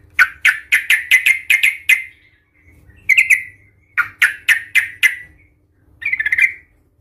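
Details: Agitated yellow-vented bulbul in fighting mode, used to provoke rival bulbuls into calling: rapid series of sharp, clipped chuk notes, about four per second, broken into bursts with short silences and a brief trilled flourish at the end.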